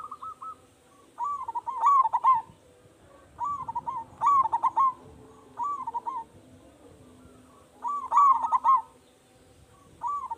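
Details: Local zebra dove with a big voice, used to lure other doves into calling back: regular cooing phrases, each with soft introductory notes and then a clustered, bubbling burst, repeated several times.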